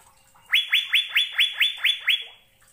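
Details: Asian fairy-bluebird on a recording made to teach caged birds to sing: seven evenly spaced, bright upslurred whistles delivered about five per second, all at similar pitch, with quiet before and after.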